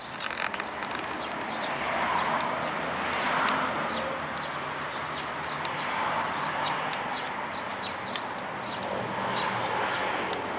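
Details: Sparrows arriving to be fed on 3 May 2022, giving short sharp chirps that repeat irregularly through a steady roar of background noise.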